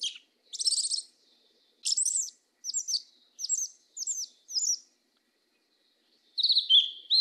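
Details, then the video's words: Sabiá-preta (yellow-legged thrush) in southern 'mateiro' song: a quick run of high, squeaky, slurred notes repeated about every half second, then a pause and a final wavering whistled phrase. Background is quiet. "SABIÁ PRETA CANTO MATEIRO DO SUL"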